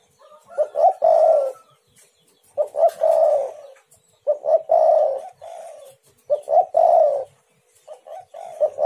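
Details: Spotted dove cooing meant to provoke other doves to call; repeated phrases of two or three short coos then a long descending coo, roughly every two seconds, a brief thin whistle early on.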